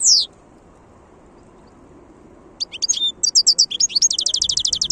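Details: A wild European goldfinch, 2022, gives one loud downslurred note, pauses over two seconds, then bursts into tinkling twitters and a long fast series of repeated high chips.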